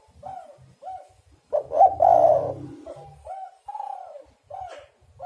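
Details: Spotted doves calling, used as a lure for trapping birds. Short soft coos sound repeatedly around one louder, rough rolling coo phrase, with low rumbling underneath.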